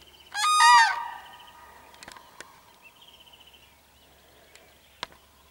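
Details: Crane calling while confronting a dog, recorded 21 April 2015: one loud, harsh trumpeting blast of about half a second, rich in stacked overtones, then faint scattered ticks and clicks in a quiet outdoor setting.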